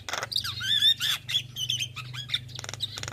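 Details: Javan myna (white-eyed jalak kebo) used as a lure to get lazy mynas singing: whistled notes and harsh squawks mixed with sharp clicks, over a steady low hum.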